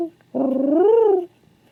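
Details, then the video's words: King pigeon, a male kept indoors and looking for another pigeon, gives one throbbing coo almost a second long that swells upward in pitch and falls away at the end. "SOUND OF A KING PIGEON"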